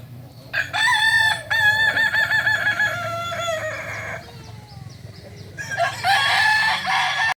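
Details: Kukuak balenggek rooster at a Panyakalan, Solok crowing contest giving a long crow of clear stepped syllables at shifting pitch levels, a short fading tail, then a fresh loud crow from other birds.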